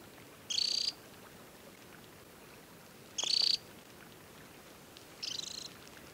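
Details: Summer adult Temminck's stint at Tinnhølen lake, Hardangervidda plateau, Norway, early July: three short high buzzing trills about every two and a half seconds, the last one softer, over quiet outdoor hiss.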